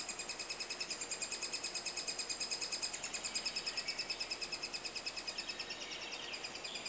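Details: Three-toed woodpecker at a nest during the breeding season in Estonia, forest with soft old trees for the cavity. A steady run of sharp, high chirps repeats about three times a second with little variation; no other clear sounds.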